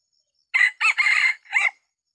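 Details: Single crow from a decoy rooster of Red junglefowl, used in Sumatra to lure wild junglefowl in a small oil palm grove: a harsh burst, a longer wavering middle note and a brief closing syllable, with no other sounds.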